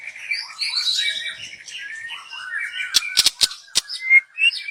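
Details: Young forest white-rumped shama, recorded as lure song, delivers a rambling high warble of slurred twittering notes, followed by a burst of sharp snapping clicks and a bright upslurred whistle.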